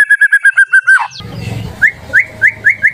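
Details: White-rumped shama kept in a cage, played to stir other birds into song: a quick series of repeated whistled notes, a sweeping slur, then a muffled rustle and several short rising whistles at regular intervals.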